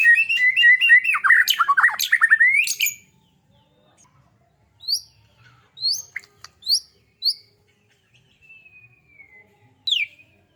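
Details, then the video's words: White-rumped shama singing a dense burst of rapid chirps and trills for three seconds, followed by scattered short high notes separated by pauses. "murai batu gacor suara burung kecil"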